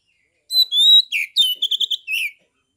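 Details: Caged Oriental magpie-robin in Kebumen, Central Java, singing in 'ngeplong' style to make other magpie-robins respond: a sustained clear whistle, a downslurred note, a quick run of five ringing repeated notes and a final slurred phrase.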